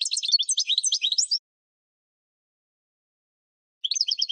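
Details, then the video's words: European goldfinch song in spring, used to train cage birds: a fast burst of high twittering, tinkling notes lasting over a second, then silence before another quick run of repeated chirps begins. "12h GOLDFINCH in Spring !!!"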